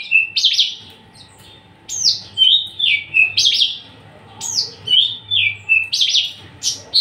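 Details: Unringed, tame Javan bush lark in a cage, a male ready for breeding, in strong song. It repeats a phrase of crisp high sweeps followed by descending slurred whistles, roughly once a second.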